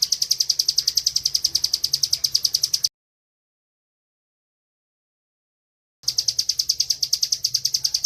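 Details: Caged bar-winged prinia singing a continuous ngebren song used as a master tutor: fast high sharp chips about seven a second for three seconds, a three-second silent gap, then the same rapid chipping resumes.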